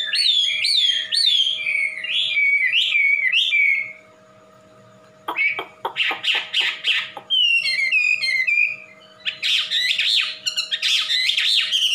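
A butcherbird gives a rich run of warbled, down-slurred whistles, breaks off briefly, then returns with quick clipped notes and bright, rapid chattering phrases.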